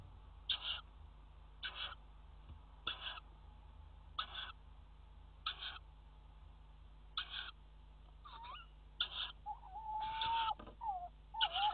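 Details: Tawny owls at a nest box in a water tower, 5 February 2018, around mating on the box edge: short harsh rasping calls repeated roughly every 1.3 seconds, then wavering tonal whistled notes near the end, over steady low hum.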